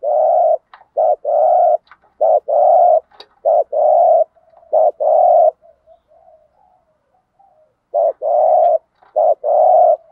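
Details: Spotted dove cooing thúc gù style to stir up newly trapped doves: rapid series of short and longer low hooting coos, a quiet pause with soft murmurs, then the coos resume.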